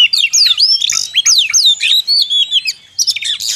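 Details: Oriental magpie-robin song for trapping lures: repeated downward-swooping whistles and bright chirps in clear phrases, a brief quiet gap, then a harsh buzzy burst at the end.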